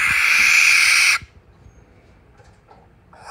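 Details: A barn owl gives its typical call, one harsh, hissing screech lasting about a second, loud and rasping, followed by near silence.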